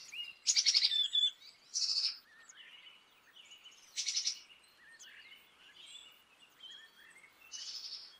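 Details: Repeated harsh buzzy dee bursts from a Black-capped chickadee about every two seconds, mixed with faint high chips and short slurred notes.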